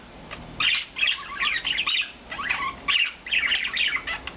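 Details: Four rescued pet budgerigars living free indoors all day chatter in a quick, scratchy warble of high chirps and squeaky notes, almost continuous with brief pauses.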